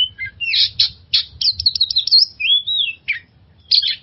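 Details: Oriental magpie-robin singing, played to help stressed birds start singing: bright whistled phrases and buzzy chatter, a smooth rising-falling whistle near the middle, short gaps between bursts, and clean quiet background.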